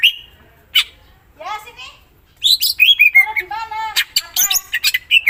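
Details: Greater green leafbird in varied song: a thin whistle, a rising harmonic slur, then a dense rapid medley of chattering, buzzy and clear whistled notes that grows louder toward the end.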